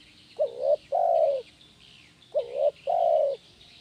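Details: Spotted dove (tekukur) cooing in the "kuk 1" style for training birds. Two close phrases about two seconds apart, each a pair of quick low notes followed by a long, full coo, over steady faint hiss.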